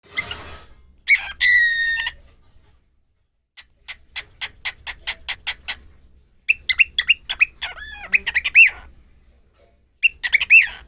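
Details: A talking pet cockatiel gives harsh harmonic squawks, then a run of quick, evenly spaced chirps.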